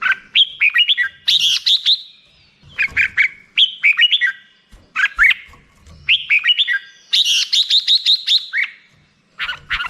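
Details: Black-crested bulbul delivering lively phrases of slurred whistles, some rapid trills of repeated high notes, separated by short pauses.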